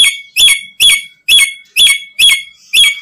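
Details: Black-capped lory giving loud, grating squawks at a slightly uneven pace, roughly two per second, each note buzzy and rich in overtones; the calls serve as a lure for catching other lories.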